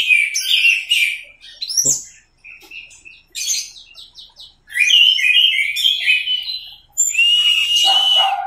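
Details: Orange-headed thrush 'teler' masteran song: bursts of fast, high twittering and whistled phrases separated by short silences, ending in a rich, sustained warble.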